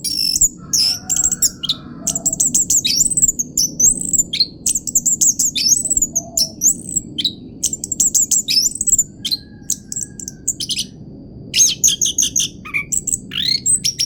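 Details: Continuous 'pancingan roll' song of an orange-headed thrush: long run of fast, high whistled notes, repeated sweeping phrases and crackling trills, few pauses, very varied and loud against a faint steady background hum.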